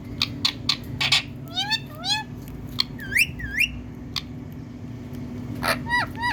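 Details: Green Indian talking parrot in India, giving sharp clicks and bursts, then a series of curved, sliding whistled notes that rise and fall. Another rising squawk ends the sequence near the close, over a steady low hum.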